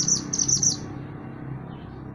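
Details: Mantenan gunung songbird in lively voice, used as master material for training songbirds, gives a quick run of four sharp, very high chirped notes, then falls silent over a low background hum.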